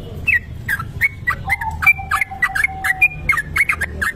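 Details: Kebo-type Sooty-headed bulbul singing a long ropel song for use as a lure: quick, slurred whistled notes coming in uneven clusters, above a thin steady lower tone.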